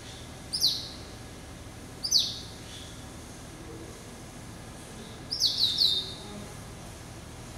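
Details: Male yellow-eyed canary × Timbrado hybrid finch, hatched in November 2012, kept in captivity, recorded March 2013: sparse bright chirps, two single descending notes then a short double chirp, over quiet background hum.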